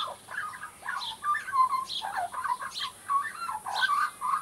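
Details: A young Australian magpie practises its song in an unbroken stream of warbled, bubbling notes, with quick whistled slides and throaty gurgles running throughout.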